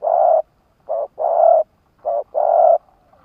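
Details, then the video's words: Decoy spotted dove, a Vietnamese lure bird for wild doves, cooing in quick succession: a long coo, then two pairs of a short note and a longer full coo, under a second apart. "Tiếng chim cu gáy kích bổi nhanh nổi"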